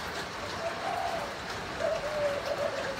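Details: Spotted dove (Spilopelia chinensis), a Thai-strain breeding pair of a red-patterned male and a grey-patterned female, gives soft, low, hollow coos in two brief phrases, half-buried under steady broadband hiss.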